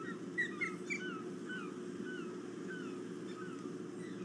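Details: Ospreys circling at dawn, 5 August 2017, one landing on a perch. Clusters of quick whistled notes, some rising and some falling, come in small bursts, then fainter calls follow against a constant low rushing hiss.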